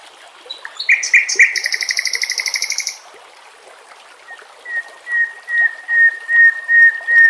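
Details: White-rumped shama masteran song meant to train and lure murai batu: a quick buzzy trill of rapid repeated notes, a pause, then a slow series of clear, steady whistles spaced about every half second.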